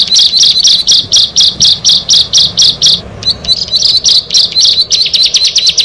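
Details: Bar-winged prinia, locally ciblek, one of six birds brought together. Loud, high, buzzy notes come in a quick even run of about four per second, then switch to a jerkier, faster twittering.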